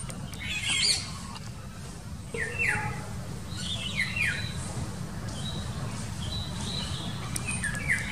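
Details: Morning calls of an Indian golden oriole on 25 March 2019, recorded from a busy roadside near a park. Bright down-slurred whistles and squawky notes come in scattered bursts over a steady low traffic rumble.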